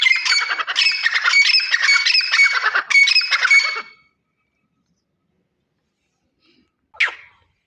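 A grey francolin gives loud, harsh, ringing notes in quick repeated phrases for about four seconds. After a pause, a single sharp note follows.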